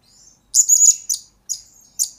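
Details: Shrill, high-pitched ringing trill followed by three short sharp chirps from a blue-crowned hanging parrot, recorded as a master and lure song for training birds.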